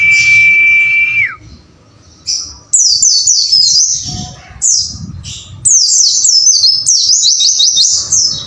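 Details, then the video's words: Tutoring song for caged white-eyes, wucit wucit style: a long steady whistle sliding down, a quiet gap, then several bursts of fast high falling notes repeated in rapid strings. "MASTERAN BURUNG PLECI AGAR GACOR WUCIT WUCIT"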